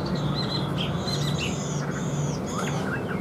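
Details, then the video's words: Caged Chinese hwamei gives thin, high drawn-out whistles and short slurred notes, fairly soft against a constant low hum. "HÓT TỐT RA GIỌNG ĐỀU"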